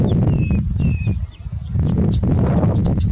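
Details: Singing bush lark singing during heavy wind in India; two long thin level whistles, then a quick stream of sharp high chirps, about four per second, against loud rumbling wind.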